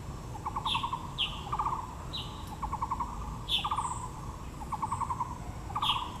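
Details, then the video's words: Taiwan blue magpie in Yangmingshan Park, Taipei, with flowering azaleas: rhythmic rattles of rapid pulses repeating near every second, several bright high chips and a faint thin whistle layered above, low rumble beneath. "台北 陽明公園 (藍鵲+杜鵑花)(Natural sound)"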